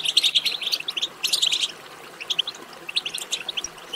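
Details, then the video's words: European goldfinch twittering song, used to stimulate other goldfinches to sing: bursts of quick, high, tinkling chirps and trills, loud at the start and again around the middle, with softer scattered notes between. "بتبتة ماهرة في تحفيز الحسون على التغريد"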